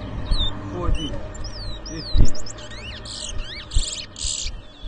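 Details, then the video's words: Towa towa bird competing in a whistling contest in New Amsterdam, Berbice, Guyana, 2023. High sweeping whistles speed into fast trills and harsh buzzy bursts near the end. Low crowd chatter and thumps throughout. "TOWA TOWA BIRD WHISTLING COMPETITION"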